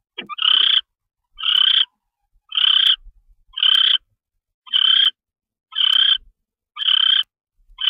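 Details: Barn owl at night, 10:46 PM on 25 February 2013, delivering a mouse: harsh hissing rasps, each about half a second long, repeated steadily roughly once a second against a silent background.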